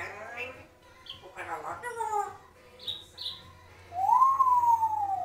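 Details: Six-year-old pet African Grey, a second parrot audible in the background, mumbling speech-like syllables and two short high chirps before a long, pure whistle that rises then slowly falls.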